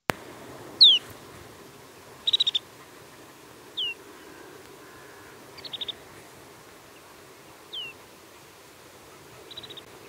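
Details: Snow Bunting nocturnal flight calls: a clear, falling 'tew' alternates every few seconds with a short, bell-like rippling trill, both high-pitched, over faint background hiss.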